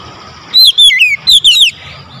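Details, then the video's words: Oriental magpie-robin, or kacer, calling with a loud voice: two short phrases of clear, slurred whistles that dip and rise, about half a second apart, over a faint background hum. "KACER MEMANGGIL SUARA LANTANG KERAS"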